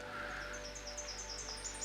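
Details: In a tamarack and black spruce fen bog in Duck Mountain Provincial Park, Saskatchewan, boreal forest, mid-afternoon, a Tennessee Warbler sings strongly: a fast, high series of sharp, dry chips that speed up and climb in pitch, over a faint low hum.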